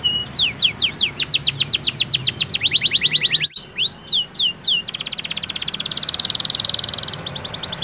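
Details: Canary singing a trigger song used to set other canaries off: rapid high sweeping whistles repeated about four per second, a brief break, a few rising slurs, then long buzzy, rattling trills over a hissy background.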